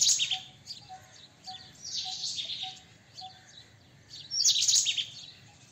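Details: Shrill rattling chatter of a White-throated kingfisher opening and closing the passage, with a softer chattering phrase between and a faint ticking note repeating about every half second.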